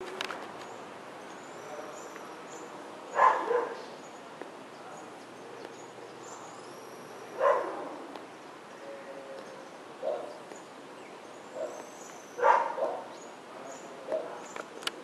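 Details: Yellow-bellied elaenia (Elaenia flavogaster) at Geribá, Búzios, Rio de Janeiro, Brazil, giving harsh, burry, scratchy calls every four to five seconds, with softer notes between and a faint background hiss.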